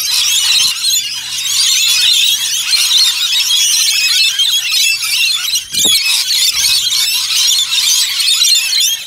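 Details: A crowd of rainbow lorikeets at a koala sanctuary in Brisbane keeps up nonstop harsh, high squealing chatter. One brief dull thump cuts in near the middle, and a low steady hum lies beneath.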